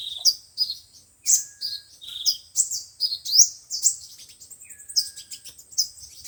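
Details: Five-colour and seven-colour sunbird song used as speaker playback for trapping: a steady run of high, thin chirps and short twittering notes, with a quiet, drawn-out lower whistle heard twice.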